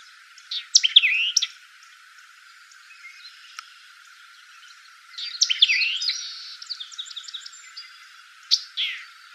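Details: Song of a White-eyed vireo recorded on 17 June 2018 in Bruce County, Ontario, Canada: three bright, fast bursts of snappy notes and twisting whistles about four seconds apart, over a faint, steady background of distant birds.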